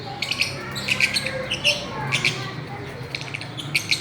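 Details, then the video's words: Fischer's lovebirds playing together on a swing, chattering with frequent high, piercing chirps in uneven clusters throughout, with a faint low hum underneath. "Parrots playing and chirping"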